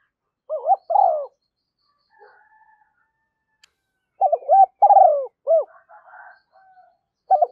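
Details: Decoy voice of a spotted dove, billed as a female, used to bring wild doves in; loud hooting coo phrases at the start and from four seconds on, with faint buzzy notes in the gap.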